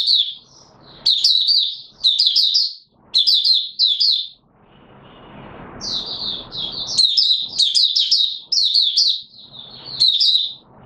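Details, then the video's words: Caged white-eye, not yet in full condition, singing rapid bursts of high, bright chirping twitters in repeated phrases of about a second, with short pauses between and a soft hiss of background noise. "Mata Puteh Raja V1 buka sing not full condition yet"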